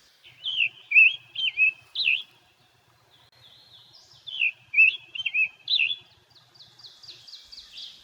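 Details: Scarlet Tanager at a state park sings two bursts of four or five hoarse, burry, robin-like phrases, like a robin with a sore throat, rising and falling; faint high twittering follows at the end.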